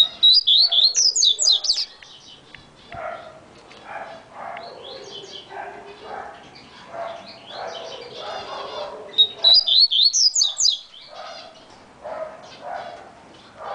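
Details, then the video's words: Coleiro baiano (variable seedeater) singing very fast: bursts of rapid, high, sharp chirped notes at the start and again near the end, with a softer, lower warbling passage between them. "coleiro baiano Chumbinho"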